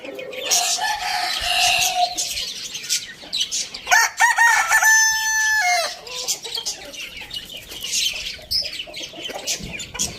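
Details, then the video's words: Rooster giving a clear morning crow: a ringing harmonic call of about two seconds with a short rise, a long level middle and a falling end, with clucking and chirps before and after. "Rooster crowing sound in the morning"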